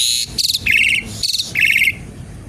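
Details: Asian pied starling song used as a lure and to teach other birds: harsh, rattling bursts alternating with buzzy mid-pitched notes, repeated in a short cycle with brief gaps.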